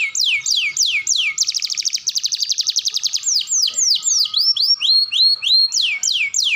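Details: Singing canary on an Indonesian masteran training recording for young to adult birds: sharp falling whistles, then a long fast buzzy trill lasting nearly two seconds, followed by looping V-shaped and arching whistled phrases.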